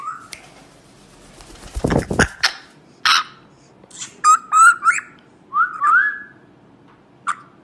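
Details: A tame, talking 18-month-old African grey parrot gives short, clear whistles that rise and fall around mid pitch, mixed with rough squawky bursts and a few clicks. No other animals are heard.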